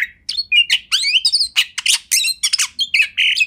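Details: Oriental magpie-robin, called kacer, sings a master song for training: dense harsh rasps and squawky bursts alternate with short whistled slurs in a rapid, continuous stream.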